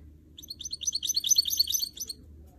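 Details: Goldfinch mule, a canary and goldfinch hybrid, being trained and motivated to sing: a bright, high twittering phrase of rapid chirps and short trills lasting about one and a half seconds over a faint low hum.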